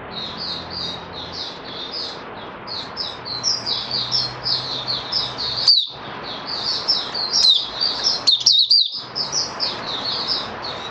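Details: Caged oriental white-eye singing, a long run of quick high twittering chirped notes in bursts, with soft background hum and brief clicks.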